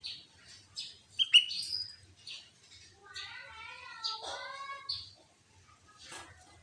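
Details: ['Sooty-headed bulbul song played as a lure to set other bulbuls singing and challenging rivals: scattered high chirps, then a run of rich, stacked, slightly falling whistled notes in mid-clip, with a faint low hum underneath.']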